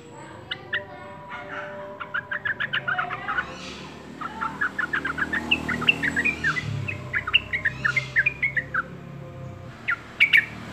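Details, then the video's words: Yellow-vented bulbul in steady song: a long chattering string of short, bubbly, slightly varied notes delivered in quick rows with brief gaps, ending in a few isolated sharp notes. "TRUCUK YG RAJIN BERKICAU"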